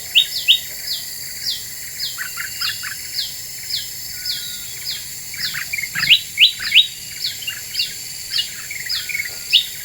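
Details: Lure song of a Black-winged bulbul, played to rile other birds: regular high downslurred whistles with bursts of sharp bright chirps, busiest near the middle, and scattered lower blips.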